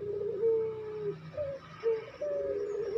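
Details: Caged Barbary dove giving quick pelung cooing for training birds: a series of short to medium level coos, some slightly rising, stacked over a low throaty rumble.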